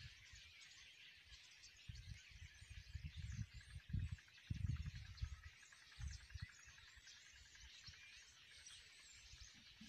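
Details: A large flock of migrating Common (Russian) Starlings in Pakistan keeps up a constant mass of high chattering, whistles and squeaks with no pauses, while low rumbles of wind or handling thump through it.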